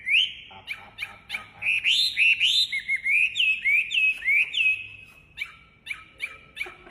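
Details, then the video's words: Wambi bird in active song, giving rapid bright whistles that sweep up and then fall, packed closely together in a fast, fairly regular series, with a short softer stretch near the end. "Suara Khas Burung Wambi Gacor Enak Suaranya"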